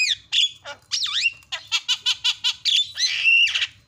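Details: Javan myna filler (isian) master song: loud whistled swoops and slurred notes, then a fast series of about six harsh buzzy bursts at short regular intervals, ending in a steady whistle and raspy chatter.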